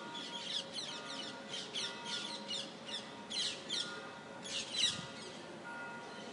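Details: Parakeets in Rome give harsh, grating screeches in quick irregular bursts, several birds overlapping, with a faint steady hum underneath.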